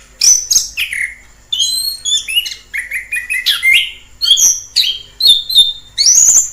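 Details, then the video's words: Wild orange-headed thrush singing a varied run of clear whistles and slurred notes, some high and falling, others lower and rising, delivered in quick phrases with short breaks. "Suara asli anis kembang di alam liar"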